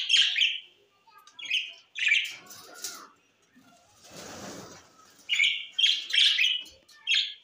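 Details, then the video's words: Parrot from Larkana, Sindh, September 13, 2023, uttering harsh, buzzy squawks, first singly and then in a quick cluster of four or five near the end, with a soft rustling noise midway. "Great Preform parrot 🦜 is Bueatiful Sounds great"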